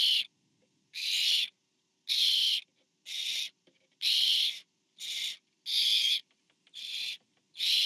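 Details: Barn owls, 24 September 2015, as a parent brings food to owlet number four on a nest camera; a ragged run of rasping hiss-screeches of uneven length and spacing, with faint clicks and scuffles between.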